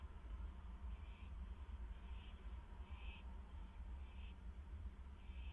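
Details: Three owls at a nest box at 11:05 PM on May 7, 2015, arriving, scuffling inside and flying out: short raspy hissing bursts about once a second over a heavy low rumble.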